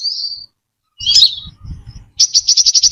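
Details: Singing brown-throated sunbird, a clean lure track: a thin high drawn-out whistle, a burst of sharp twittering, then a rapid string of about nine high ticking notes.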